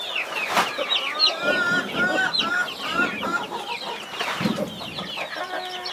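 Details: Mother hen guarding her 21 baby chicks; a dense chorus of high, down-slurred chick peeps overlaps throughout, with a few lower, harsher hen notes and short rustling bursts.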